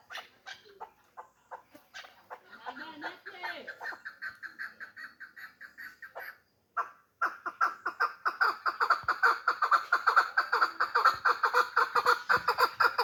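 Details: Caged hybrid chukar partridge in Tajikistan. It starts with scattered soft notes and low chatter, pauses briefly, then launches into a fast, loud chain of harsh, nasal chuk-chuk notes building toward the end.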